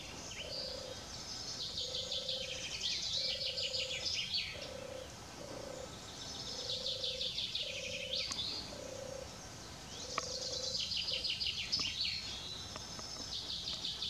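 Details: A distant European turtle dove (Streptopelia turtur) near Grolloo, Netherlands, on 13 June 2021, gives soft, low purring notes in short repeated runs, half-buried under bright, busy high-pitched songbird song.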